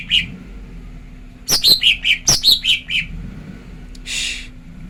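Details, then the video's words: Lure call of a female lesser green leafbird for stirring males to sing: a lone chirp, then a burst of sharp, high, descending notes in quick succession, followed later by a brief rustling noise. "Pancingan cucak ijo betina JEBOL EMOSI"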